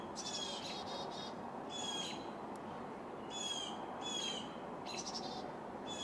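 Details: Black-capped Chickadee nestlings in a birdhouse give bursts of high, hissing, buzzy begging calls, several a second with thin whistled notes mixed in, as a parent brings a fat caterpillar; steady low background noise.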